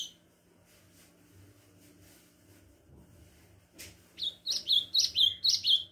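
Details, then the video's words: Ultramarine grosbeak starting to sing: after a quiet stretch with low background hum, a run of seven clear, high whistled notes, each rising then dropping, delivered about four per second. "golinha-começando a cantar- AZULÃO"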